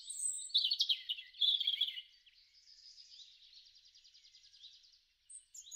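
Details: European robin song from a garden, spring 2013: a rich run of quick high warbles and trills for two seconds, followed by a long soft rapid chattering tail and a final thin note.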